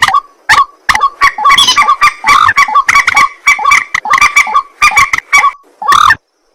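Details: White-breasted waterhen at night, giving a loud, continuous series of harsh ruak-like croaks punctuated by sharp clicks and bright upslurred tones, slowing toward the end before a brief silence.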